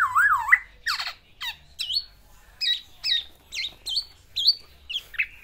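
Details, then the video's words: Black-naped oriole, a pet male singing isian to court a female: one low wavering whistled phrase opens, followed by a spaced series of sharp high notes that rise and drop, about two per second. "BURUNG KEPODANG GACOR MENGELUARKAN ISIANNYA UNTUK MERAYU BETINA"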